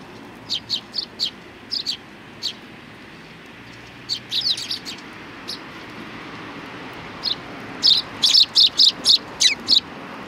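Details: At a Tenmangu shrine on 3 July 2020, sparrows come to greet: thin, high chirps spaced out at first, then a louder, denser volley of repeated tweets toward the close.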